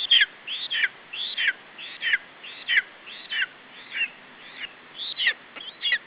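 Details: Lesser spotted eagle chick at its nest in Estonia, 21 July 2012, calling while protecting its food from the adult male. Sharp, high whistled yelps rise then drop, coming steadily about one and a half times per second, with light background hiss.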